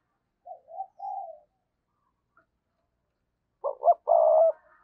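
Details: Caged lure spotted dove giving calling coos: soft low murmured notes, a pause, then a full loud phrase of two quick notes, a drawn-out rolling coo and a short ending.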